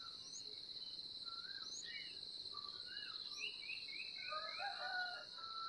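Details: A sooty-headed bulbul feeding its chick gives short, slurred chirps, growing into a quick cluster of high begging notes near the end, over a steady, shrill drone of insects.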